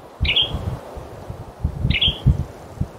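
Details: A male Western tanager in forest, late in the season with no song heard, gives two short, dry, chirped call notes about one and a half seconds apart, over low rumbling wind noise.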